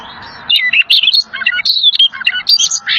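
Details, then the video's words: Rare little fellow bird singing energetically, a tutor song for pet birds: after brief quiet, a continuous rapid run of high chirps, trills and sliding whistles for two and a half seconds. "MASTERAN GACOR "little fellow"BURUNG LANGKA"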